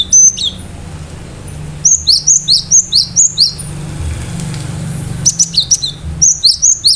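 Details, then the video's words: Gelatik batu, the cinereous tit, in full song with sharp bursts: a fast sequence of about eight high, clipped two-note phrases, then a further string of piercing repeated notes after a short pause. "Gelatik batu gacor"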